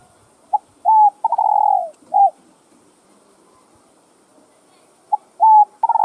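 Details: Spotted dove cooing to stir other doves: a short note, a level coo, a long slightly falling coo and a brief closing note, the phrase starting again after a pause. Faint high hiss in the background.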